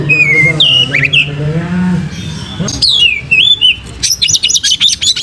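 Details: Oriental magpie-robin used as a lure to provoke tail-spreading song: clear whistled slurs and rising notes, ending in a rapid stuttering series of harsh high notes, over a low droning sound.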